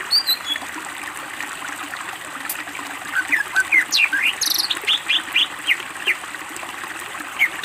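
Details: Greater green leafbird in full song on a training master: after a quiet start, a series of quick upslurred whistles repeated roughly twice a second, with a few high sharp notes mixed in.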